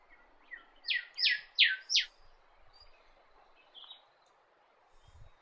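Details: Norfolk Island golden whistler, a subspecies of the golden whistler found on Norfolk Island, gives four loud, sharp, downward-sweeping whip notes in quick succession, followed by a faint short note and light background rustling.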